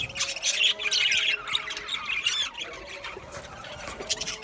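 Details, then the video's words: Australian budgerigar colony in an aviary giving a busy flock chorus of harsh squawks and bright high chirps, about three notes a second, overlapping and uneven, with brief quieter gaps. "Budgies chirping sounds"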